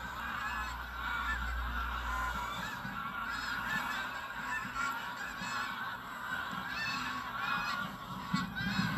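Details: Tens of thousands of geese of several kinds lifting off at sunrise from Burnham Norton marshes on the North Norfolk coast, 10 September 2022, captured on a phone: continuous mass of nasal honks, a steady low hum underneath.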